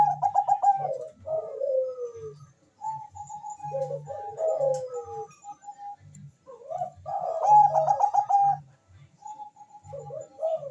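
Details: Bangkok zebra dove song for stimulating mating urge and singing: stuttered coos and falling slurred notes, with a steady low rhythmic thumping throughout and brief pauses between phrases.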